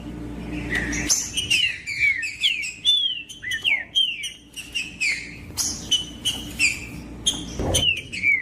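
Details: Green-winged saltator in captivity delivering song meant to stir a cold caged bird: chains of clear, bending whistled notes in quick succession, interrupted by brief sharp clicks and knocks.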